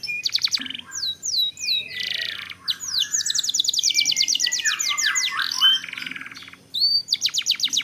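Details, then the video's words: Canary song used as a lure to set other canaries singing: a long rolling performance of rapid repeated high whistled sweeps and trills, with a brief buzzy rattle in the middle and quick descending notes throughout. "Pancingan Kenari / Masteran Kenari / Dijamin Langsung Bunyi"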